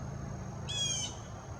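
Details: Blue Jay, one of an influx during fall migration, molting its head feathers, gives one harsh rasping note of about a third of a second before sunrise by a lake at George Wyth State Park, Iowa; high whine and low rumble, possibly highway noise, underneath.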